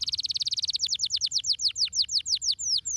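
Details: Canary song, stimulating style: a fast rolling trill of repeated notes gives way to longer, widely spaced descending whistles, each sweeping downward.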